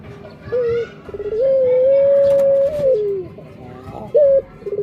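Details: Loud close cooing by a Barbary dove (puter): a short note, then a long even drawn-out coo ending in a falling slur, followed by another short sharp note and the start of a new roll.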